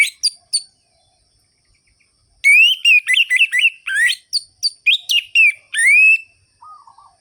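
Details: Orange-headed thrush in full ngerol-ngeplong song, a lure meant to stir sluggish thrushes into singing: a few quick high notes, then a long run of loud slurred whistles and sharp chips, ending in a rising whistle and a soft lower note.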